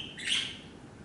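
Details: A pet budgerigar chick, 4 to 9 days old, on a blanket with its three siblings, gives a single brief, high, slightly raspy chirp; recorded 25 August 2014.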